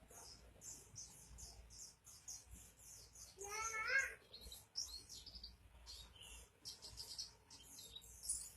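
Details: Oriental white-eye (pleci) singing gacor: fast runs of very high, clipped chirps, broken midway by a brief lower warbled phrase, then more high twittering.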